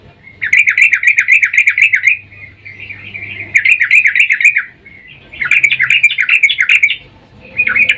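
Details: Sooty-headed bulbul female, in breeding mood, calling to the male as a lure; three long bursts of very fast, buzzy chattering notes separated by short softer gaps.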